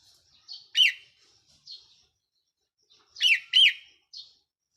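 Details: Caged decoy red-whiskered bulbul, recorded 4 May 2023, repeating a lively chirping phrase twice: soft lead-in notes, then two loud swooping whistled notes and a softer trailing chirp, with silent gaps between.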